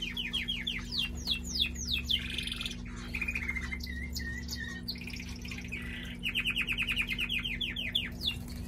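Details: Pet male canary in full song: runs of rapidly repeated falling whistles, a buzzy rattle, short flat notes, then another fast rolling series of repeated sweeps, accompanied by a steady low hum.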